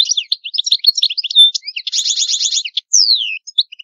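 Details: Sicilian goldfinch of the antique Palermo song style, clean recording for tutoring hybrids and young birds: continuous rapid twittering, a fast buzzy rattle of repeated notes, then a long descending whistled slur.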